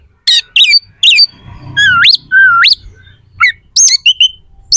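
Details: Energetic oriental magpie-robin song meant to rile up rival magpie-robins before contests: sharp chirps, then two loud rising whistled swoops, followed by short clipped notes over faint low background noise.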